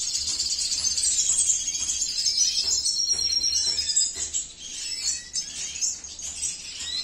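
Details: A male Venezuelan siskin, cinnamon mutation, kept by a breeder, delivers a continuous high twitter of rapid trills and buzzy notes, about three elements per second, later breaking into scattered chirps; soft low hum behind.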